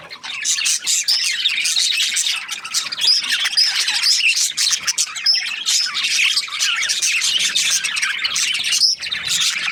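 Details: Several budgerigars chirping at once: a busy, continuous mix of short twittering notes, rasping squawks and brief rising whistles, with no pause in the flock noise.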